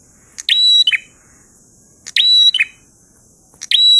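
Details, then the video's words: Prinia singing the 'ngalun' style, three evenly spaced loud phrases about 1.6 seconds apart. Each is buzzy at first, then a sustained whistle, then a scratchy drop. "Prenjak Gacor Ngalun Syahdu"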